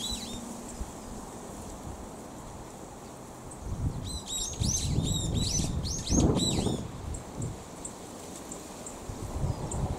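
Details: Brown-eared bulbul song: a somewhat noisy quick burst of high, sharply rising and falling chirps over about three seconds, over a steady low rumble of wind or distant traffic.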